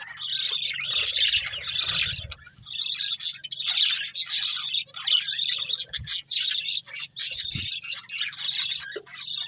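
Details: Nearly unbroken budgerigar warbling from a breeding pair, a thick stream of chirruping, squeaky and scratchy notes with very few breaks, a couple of soft low thumps underneath.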